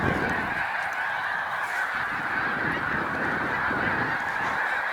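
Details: Large flocks of Snow Geese at a spring migration rest stop on Cayuga Lake, New York, 20 March 2021, make a steady, dense wall of overlapping nasal honks with no pauses.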